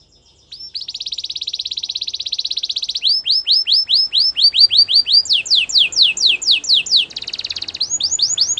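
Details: Canary song opening with a sustained rapid trill, followed by repeated sweeping whistled notes that fall in pitch, a brief higher rattle, then more descending notes at a steady pace.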